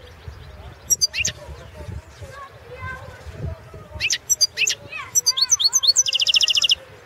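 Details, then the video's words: Competition song of a Balkan goldfinch, Carduelis carduelis balcanica, entered in the 2016 World Championship organised online by a Serbian association: high twittering phrases and sliding notes building into a fast, even, buzzy trill at the end. "Pesma štiglića"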